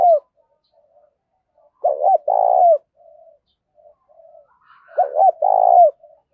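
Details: Spotted dove decoy bird calling to provoke fighting, two full coo phrases about three seconds apart, each a quick double note then a long vibrating coo, with faint soft notes between.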